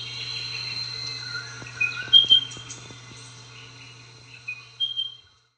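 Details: Spotted pardalote with high whistled notes among scattered soft clicks and other faint chirps, over a low steady hum that fades out at the end.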